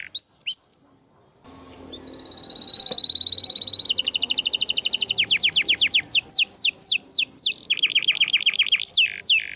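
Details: Canary song used as tutor material for young canaries: a few high sharp notes, then a long steady whistle, then fast repeated down-swept trills, later slower sweeping notes and a rapid rattling trill.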